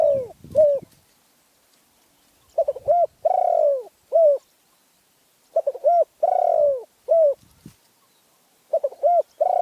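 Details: Spotted dove from Phrae, described as having a small, fierce voice, cooing in low mellow phrases: quick double notes followed by a long drawn, falling coo, the pattern repeated in bursts with silent gaps.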